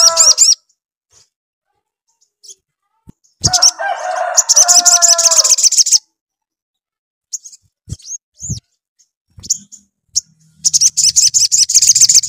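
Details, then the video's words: Sogon, or little spiderhunter, singing hard to stimulate another sogon to answer: repeated bursts of fast, high, metallic chirps, with a stretch of lower sustained whistles between them and a few scattered clicks and knocks. "SOGON GACOR RANGSANGAN AGAR SOGON CEPAT NYAUT"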